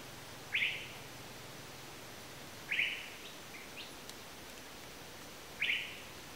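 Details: Asian paradise flycatcher giving single short, harsh chattering calls at intervals of about two and a half seconds, over a hissy background with a faint tick.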